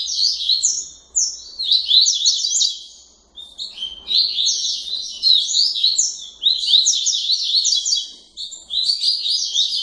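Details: Captive double-collared seedeater from a breeder in Santa Catarina, Brazil, delivering tui-tui style song late at night: rapid, continuous high warbled phrases of sliding, down-slurred notes in repeated bursts of about two seconds.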